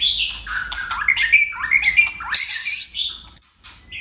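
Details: White-rumped shama in contest song with tail-flicking, giving a fast, squawky, buzzy medley of slurred notes that climbs in pitch, followed by thin high whistles.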